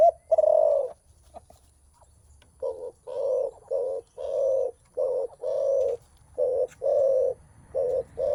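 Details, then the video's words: Spotted dove, mostly males, cooing on meeting a rival before contesting strength: about a dozen low, rounded coos in quick uneven bursts, some longer and some clipped short, with faint distant bird chirps. "Suara menguku terkukur"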